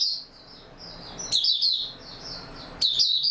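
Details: Oriental white-eye in stable singing form, 28 February 2022: thin high sustained notes followed by two short bursts of quick, sharply slurred twittering, with faint room hiss between.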